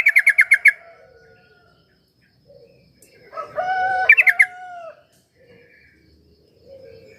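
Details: Sooty-headed bulbul meant to prompt a quiet bird into song: two rapid bursts of bright repeated notes a few seconds apart, the second overlapping a drawn-out rooster-like crow and soft clucks.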